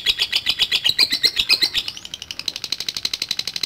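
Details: Lovebird in a long ngekek trill: rapid rattling high pulses that quicken and thin out after about two seconds into a faster, lighter chatter continuing to the end.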